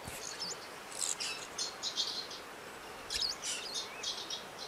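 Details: Several agitated Eurasian crag martins calling in the Alentejo of southern Portugal, where the birds nest on a church facade and under a bridge: rapid, high, dry twittering chirps in irregular bursts, some with short upward-flicked notes.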